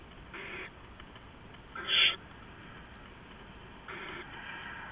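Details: Owls at the nest before dawn on 15 November 2015 as an adult delivers rats to the owlets; two drawn-out breathy hissing bursts, with a sharper, louder rasping screech between them against constant low noise.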